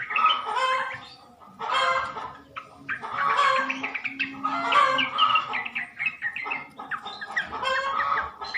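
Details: Sooty-headed bulbul calls played as a lure so males answer: rolling waves of bubbly, liquid chatter from several birds, rising and falling in loudness every second or two over nearly nine seconds.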